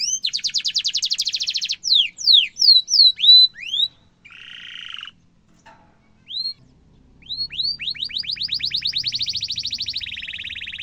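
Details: Domestic canary song used as a tutor recording for young and adult canaries, a long rolling style: fast trills of rapid notes, downslurred whistles and upswept chirps, a brief buzzy section and a short pause midway.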